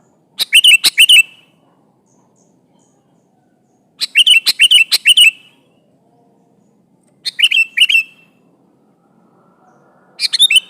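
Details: Sooty-headed bulbul singing to lure a rival: short bubbly phrases of four or five sharp, liquid notes, repeated every three to four seconds with silence between.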